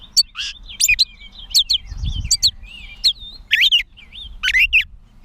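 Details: A Gray Catbird in Bowdoinham, Maine, on 16 May 2020, runs through a jumbled string of short squeaky, whistled and chattering notes, a new phrase about every half second, with a faint low rumble midway.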